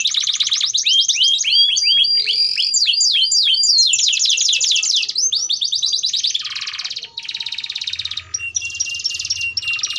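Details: Long-running canary song played to train young canaries: varied rapid trills, chips and sweeping whistles in quick succession, shifting into buzzy rolls and ending with sustained high trilled phrases.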